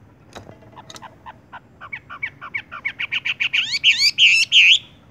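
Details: Wambie, or Horsfield's bush lark, building a tung roll song: soft ticking notes speed up and grow louder into quick chirps, then end in loud looping whistles.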